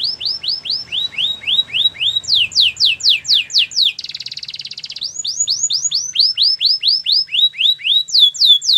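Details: Canary song of rapid descending whistled notes in successive tours at shifting pitch, interrupted by a short buzzy rolling trill, then more quick falling sweeps.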